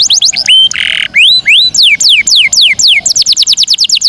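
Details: Canary song played to bring birds into breeding condition: rapid series of high whistled downslurred and upslurred notes, a brief buzzy trill, then quickening sweeping phrases.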